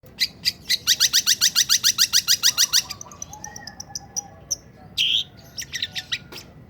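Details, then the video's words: Long-tailed shrike in breeding condition, singing while giving a churring korok sound: a fast run of about fifteen sharp, high, even notes, then looser chirps and a brief harsh burst; faint steady whistles behind. "Burung Cendet Birahi POLLL...bunyi sambil mengkorok!!"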